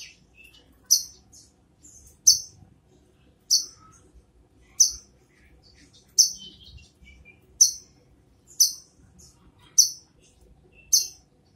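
A brown-throated sunbird gives sharp, high, metallic chips, about nine of them spaced a second or so apart, over quiet background hiss.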